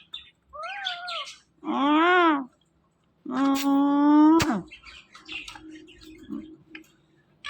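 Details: Pet parrot talking indoors: three loud, drawn-out voice-like phrases with wavering, stacked tones, separated by short pauses, followed by softer scattered chatter and clicks.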